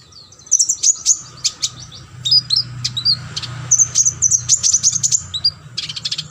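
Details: Sunbird singing on a training recording for competition birds: a continuous stream of high sharp chips and squeaky twitters, steady low hum beneath.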